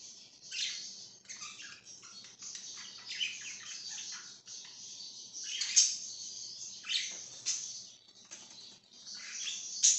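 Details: Budgerigar chirping steadily: busy, high warbled chatter broken by occasional louder sharp chirps, continuing throughout.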